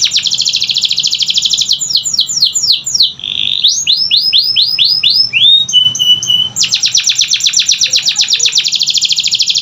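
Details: Canary training song meant to make silent canaries answer: a dense high trill, a run of falling sweeps, a held mid note, more slurred sweeps, a thin steady tone, then another long rapid trill.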